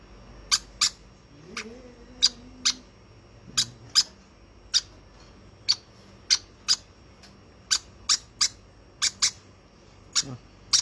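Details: Baby conure, hand-fed, repeating short, sharp, high-pitched peeps at an uneven pace, around twenty in all, with a brief low human voice early on.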